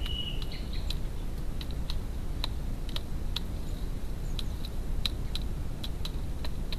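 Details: A great spotted woodpecker calls with sharp, short 'kik' notes repeated at an uneven pace, roughly two a second, over a steady low rumble of wind or background noise.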